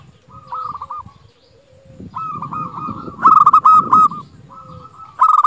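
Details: Energetic song of a local zebra dove: soft trilled coos building to loud, bright rolling notes, then a fresh loud phrase at the end, over low background rumble.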